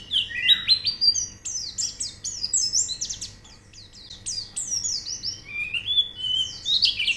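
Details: Caged white-eye singing, used as training audio to get other birds singing: a fast, dense stream of high, thin twittering and sweeping whistled notes, overlapping and nearly unbroken, with a steady faint hum underneath.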